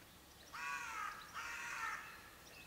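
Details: Raven calling twice, coarse grating caws about half a second long, the second following soon after the first, against a quiet backdrop.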